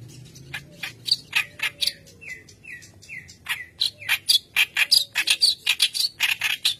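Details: A white-browed kerak basi sings vigorously as a training lure. Continuous scratchy, chattering notes are broken by three short, clear down-slurred whistles, then the chatter builds again in quick, uneven bursts.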